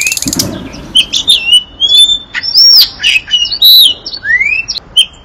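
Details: Nightingale, a bird of the genus Luscinia, singing a varied phrase of clear whistled notes, some rising and some falling, in short separate bursts, after a brief dry rattle at the start.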